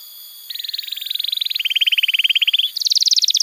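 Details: Canary song played to train young canaries and coax non-singing birds: after a brief pause, long rapid rolling trills step down in pitch, then jump higher into a bright fast rattle.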